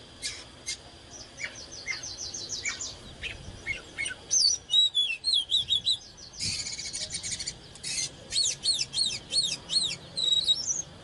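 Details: Oriental magpie-robin in excited, fired-up singing with display; a varied, loud song of rapid upslurred whistles in quick series, sharp clicks, buzzy bursts and looping whistled phrases, with brief pauses between bursts against a quiet background.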